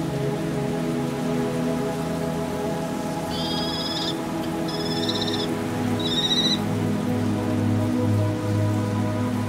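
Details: Common kestrel, part of a family filmed in a pine wood in Sardinia, gives three short bursts of rapid, shrill, high kee-kee-kee notes about a second apart, over a steady low musical drone.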